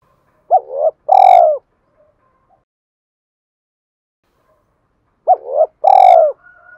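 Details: Spotted dove from Dong Nai, a decoy bird calling to lure wild doves. Two cooing phrases, each a short rising-falling note and then a longer, louder, slightly tremulous coo, separated by about four seconds of quiet.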